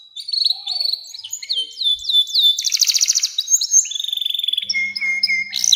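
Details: Canary song with a long, sustained delivery, used as a lure to train young canaries. Varied high phrases run throughout: rapid trills, downslurred whistles and long rolling notes. A faint low hum sits beneath near the end.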